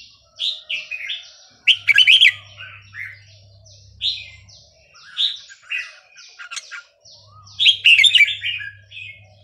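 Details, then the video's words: Burmese-style singing of red-whiskered bulbuls, used to teach young birds. Repeated short bright whistled phrases, some overlapping, with louder bubbly bursts roughly every six seconds and a low hum in places. "นกกรงหัวจุกเพลงถิ่นพม่า 3-4-5-6 เปิดสอนลูกนก"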